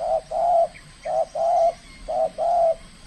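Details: Spotted dove, trained and competing for the first time in a cooing contest in the Riau Islands, Indonesia, delivers steady paired coos, a clipped note then a longer level hoot, repeated roughly every second.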